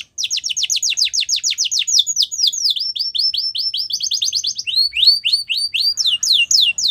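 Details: Yellow canary in the wild, singing a lively series of repeated tours: fast falling whistled sweeps, then slurred looping notes, a brief rapid trill, and a run of bright upward-curving notes.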